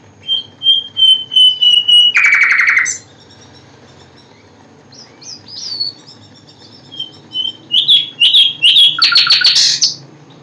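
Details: Singing common nightingale: a string of evenly spaced pure whistles, a short harsh buzzy rattle, a pause, then varied chirps and a rising trill toward the end.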